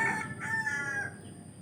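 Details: Village rooster caught partway through a crow, its harsh layered voice wavering and sliding lower before trailing away, with a low rumble and a steady hiss behind it.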